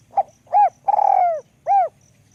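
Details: Single cooing phrase from a spotted dove with a small voice, in the 'luk kok' style: a short opening note, an arched coo, a long vibrating coo falling at the end, and one last arched coo.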